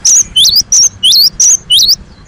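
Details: Loud, insistent gelatik batu song used as a calling lure: six shrill whistled notes in steady succession, alternating a flat high tone with a rising slurred one, each about a third of a second apart.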